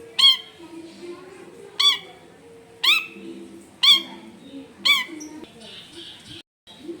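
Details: Long-tailed shrike screeching at a home in a densely populated neighbourhood: loud grating notes repeated roughly once a second, five in a row, with faint chatter between and a constant low background hum.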